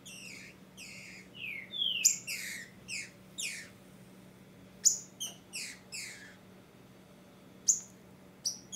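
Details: A female Green-winged Saltator (Saltator similis) gives bursts of sharp, high, downslurred chirps in uneven clusters, soliciting a male, used to stimulate a male's song in breeding season; a faint low hum runs underneath.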